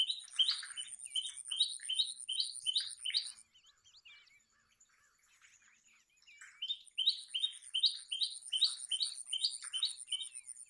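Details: Common tailorbird song in two bursts of quick, sharp repeated notes about two to three per second, separated by a quiet gap with soft twittering, a thin high steady whistle running behind.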